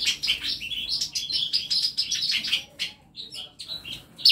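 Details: Continuous high twittering and warbled chatter from birds in a home aviary of masteran birds, fading to a few scattered chirps near the end.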